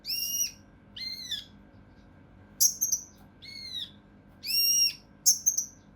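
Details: Mountain leaf warbler song meant for training competition songbirds, in a rough, tight 'shooting' delivery: separate bursts of harsh, ringing, high notes, some dropping in pitch, with pauses of about one second between them.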